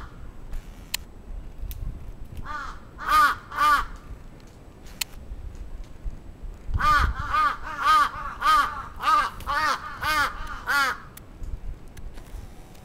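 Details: Crow attacking in Atsubetsu Ward, Sapporo, June 2017: a short burst of harsh caws, then a pause with scattered clicks, then a long series of loud rasping caws repeated about twice a second.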